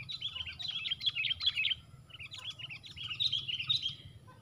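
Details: Sooty-headed bulbuls clashing in a one-against-four fight: near-continuous rapid chattering of short, bright, slightly harsh notes, briefly dipping in the middle before resuming, with a low rumble underneath.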